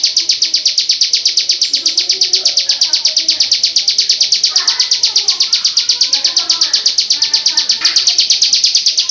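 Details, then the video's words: Female bar-winged prinia in loud ngebrem song, an unbroken stream of sharp, high chips repeated nearly three times per second, steady and even throughout, with faint murmuring sounds low in the background. "Masteran burung ciblek sawah ngebrem full durasi suara keras"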